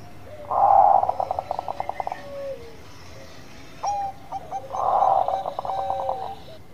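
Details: Zebra dove of the Bangkok perkutut line, singing vigorously in the gacor manggung style. Two bursts of rapid, rhythmic cooing pulses, each opening with a loud rolling trill that breaks into a run of short evenly spaced notes, separated by a quiet gap.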